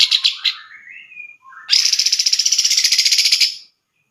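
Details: Caged grey-cheeked bulbul song serving as tutor for other songbirds: a few sharp high notes and a sliding whistle, then a long loud rattling series of quick repeated buzzy notes about four per second before stopping.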